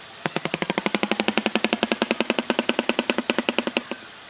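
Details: A shoebill, standing person-tall on grass beneath palm trees in a zoo-like setting, clatters its bill in a rapid, even, machine-gun-like rattle of about nine dry knocks a second, lasting nearly four seconds.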